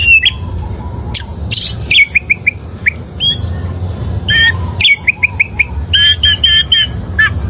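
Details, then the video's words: Oriental magpie-robin caught in the wild, its song offered for training caged birds: varied loud whistles, quick chip series and harsh buzzy bursts, over a faint steady hum. "Masteran Suara Burung Kacer Liyar...!!!"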